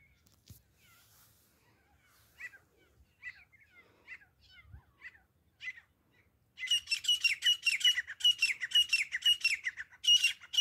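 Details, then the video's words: Grey francolin (desi teetar), recorded as hunting sounds: after soft scattered chirps, a loud, harsh burst of rapid, rasping notes repeated about twice a second fills the last four seconds. "desi teeter grey partridge grayfrancolin hunting sounds"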